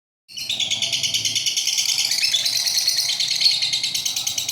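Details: Caged pet lovebird giving a long ngekek trill: a dense, harsh, rapidly pulsing chatter held without a break for over four seconds, high and buzzy with steady beats several times per second.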